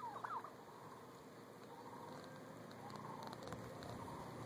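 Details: Wild turkey in Sheridan, Wyoming gives a quick, wavering gobble-like burst at the start, then steady outdoor background noise carries on.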